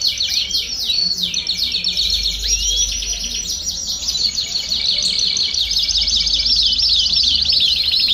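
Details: Many domestic canaries singing together to encourage other birds to sing: a continuous twittering chorus of trills, with one clear rising slurred whistle early on.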